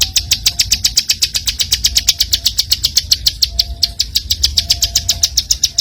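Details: Song of the bar-winged prinia meant for tutoring other songbirds, a rapid, even stream of high clipped chips at about four per second, with traffic rumbling underneath and occasional faint thin whistles.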